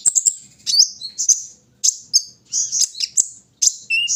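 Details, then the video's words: Morning airing of a kolibri ninja sunbird: bursts of very high, sharp chirps and short buzzy twitters separated by brief pauses, with one low sliding whistle near the end. "pengembunan di pagi hari burung Kolibri ninja"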